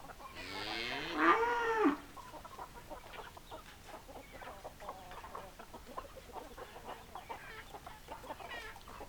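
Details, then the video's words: Chickens, hens and roosters: a loud drawn-out harsh crow-like call lasting about a second and a half opens, then quieter scattered clucking from the flock carries on. "Chicken Sounds Noises Hens Clucking Roosters Crowing"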